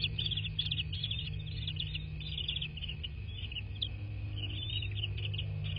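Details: Bald eagles at a nest in a quaint southwest Florida landscape, recorded by nest cam at night: a steady series of thin, high chirping notes, broken into short runs, over a constant low electrical hum.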